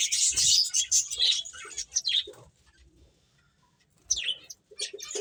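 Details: Finches chirp busily during play, high tweets and a few downward-sweeping notes, then a near-silent pause of about one and a half seconds before the chirping resumes.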